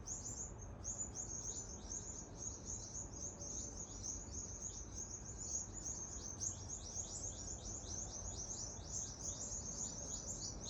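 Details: Loud, continuous chirping from a group of birds being chased by a rat in Adelaide, Australia; sharp high notes pour out rapidly and overlap throughout, with a faint low background hum.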